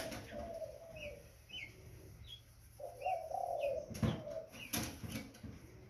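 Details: Young spotted dove cooing in two soft, drawn-out low phrases, while thin high chirps from other birds repeat in the background and sharp clattering noises break in near the end.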